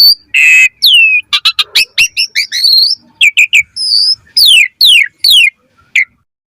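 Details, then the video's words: Asian pied starling singing 'mompa' variations for birds to copy: a harsh buzz, a falling whistle, fast clusters of chirps and several steeply falling rasping slurs, about two notes per second. "Pancingan Jalak Suren MOMPA Full VARIASI - Masteran Suara Burung Jalak Agar Gacor Full Isian Mewah"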